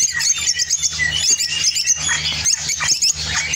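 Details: Lovebird, opline orange colour, Spain: singing with quick high chirps, short whistled squeaks and scratchy twitters in a dense, lively flow, a steady low hum in the background.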